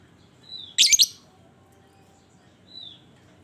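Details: Lovebird calling as a lure to set other lovebirds singing: one loud, rasping chattered burst, framed by a soft thin whistled note before it and another near the end.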